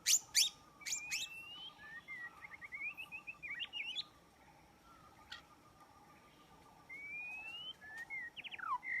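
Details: White-rumped shama song used as a lure for trapping: opening sharp clicks, then fainter sweet whistled runs and trills, a pause, and a long clear rising whistle before a descending flourish, with a constant pulsing background hum.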